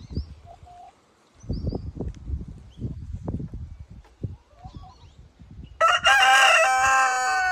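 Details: Rooster crowing in a crow-off against other roosters: after several seconds of dull low thumps and knocks, one loud harmonic crow bursts in, held strongly and steadily to the end.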